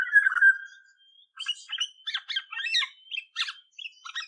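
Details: An Olive-backed Oriole (Oriolus sagittatus) calls with a drawn-out, slightly harsh downslurred note, then a quick jumble of short chirping and mewing notes, about three a second, over a faint steady whistle.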